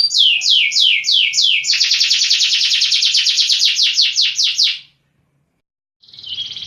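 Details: Caged fighting canary training song, clear and loud: rising sweeps, then a fast rattling run of steep notes, a second of silence, and a short buzzy burst.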